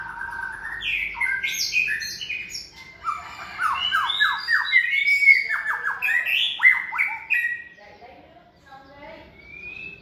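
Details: Caged, second-season white-rumped shama raised from a nestling and trained for competitions. Dense, rapid chattering and scratchy whistles pour out for several seconds, then fade into quieter, softer notes.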